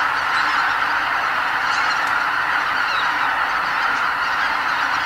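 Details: A record flock of about 80,000 greater white-fronted geese leaving the lake roost before sunrise in Bibai, Hokkaido, heading north in spring; a loud blended clamour of many honking birds.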